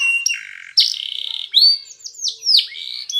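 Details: Spanish Timbrado canary song used for training a silent canary to sing: a high steady tone, then a buzzy rolled phrase and a run of sharp descending whistled notes, with short pauses between tours.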